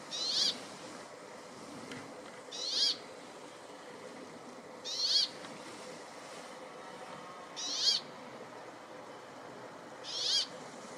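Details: Brambling singing in forest near Ruka, Finland: a high, harsh buzzy drawn-out note repeated about every two and a half seconds, five notes in all, over a steady low background hiss.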